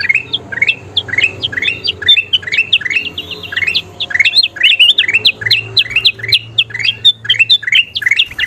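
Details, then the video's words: Kutilang emas bulbul singing busily, offered as a training track for caged songbirds: quick, steady stream of short rising whistled notes with occasional higher flourishes, barely pausing across the whole stretch, low hum underneath. "SUARA KUTILANG EMAS GACOR PALING DICARI"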